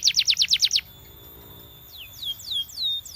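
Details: Belgian canary giving a short burst of quick pulsed notes, a pause, then several spaced falling whistles.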